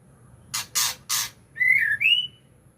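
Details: White-rumped shama song in the ngukluk style: three loud, harsh rasping bursts in quick succession, then two clear whistled phrases, the second sliding upward.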